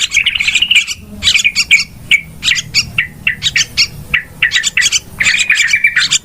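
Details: Lure recording of a yellow-vented bulbul's noisy calls, used for trapping: harsh, scratchy chirp bursts about every half second, with slurred notes dipping and rising between them.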